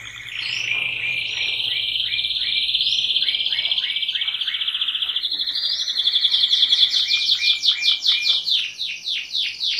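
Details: Canary singing: a continuous high warbling song with rapid trills held near one pitch, then a run of quick repeated rising-falling notes in the second half, loud and steady throughout.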